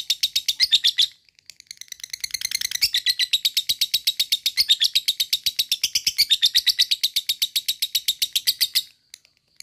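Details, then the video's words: A lovebird's long ngekek, used to provoke other lovebirds to sing: after a short opening burst and pause, a quick, steady rattle of piercing chirps runs for about seven seconds and stops abruptly. "Pendongkrak mental lovebird cepat naik EMOSI dan langsung jadi ngekek panjang berkat lovebird ini"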